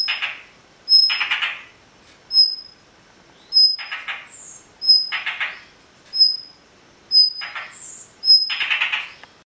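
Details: Blue rock thrush parent, defending newly hatched chicks, scolds an approaching person with harsh, rasping bursts about once a second, each paired with a thin, high whistle.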